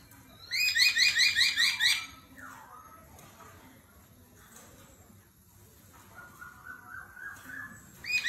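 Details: Singing-contest laughingthrush with a forest voice and continually shifting phrases: a loud run of fast high chirps, a falling note, then quieter trilled whistles with a faint noisy background.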